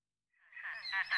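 A great crested grebe gives a single harsh, nasal call that swells in loudness and ends in a rough, honking rasp. No other sounds stand out.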